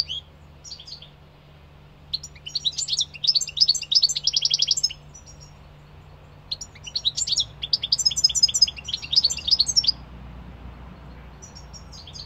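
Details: Two long bursts of European goldfinch song separated by a pause: fizzy, tinkling twitters and buzzy trilled runs, high-pitched and rapid, with a quiet steady hum behind.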